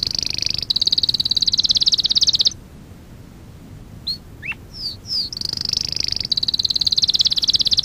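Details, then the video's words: Canary song from a lesson recording for young canaries in training: a high rapid rolling trill, a pause with several separate falling whistles, then the fast high trill returns. "Kanarya Ötüşü - 1 (Eğitim - Ders Cd'si) / Canary Singing - 1 ( Education - Lessons Cd )"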